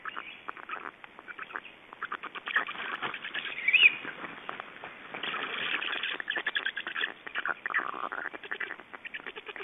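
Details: Black storks feeding in Estonia on 8 June 2012. Softer, scratchy, rapidly ticking chatter swells toward the middle, with one brief thin high note standing out, then continues in uneven pulsed bursts.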